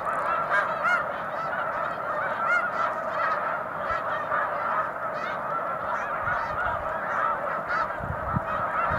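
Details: Snow geese by the hundreds on Cayuga Lake in March, a steady wall of honking with individual high barks picked out near and far.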